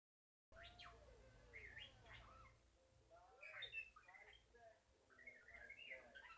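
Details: Pet bird imitating R2-D2 robot noises: soft, scattered whistled chirps and rising and falling electronic-style sweeps, quiet throughout, with a man's voice praising it afterwards.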